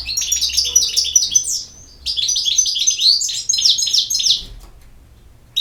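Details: European goldfinch song: rapid, high-pitched tinkling phrases with twittering runs and short buzzy slurs, broken by one short gap before the warbling resumes and fades out.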